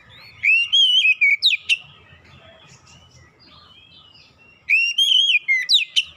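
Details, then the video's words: Oriental magpie-robin lure song, meant to get reluctant birds singing. Two bursts of loud, clear whistled phrases, each a quick series of rising and falling notes lasting about a second, separated by a quiet gap with faint low background rumble. "kicauan pemikat Kacer bahan susah bunyi langsung gacor"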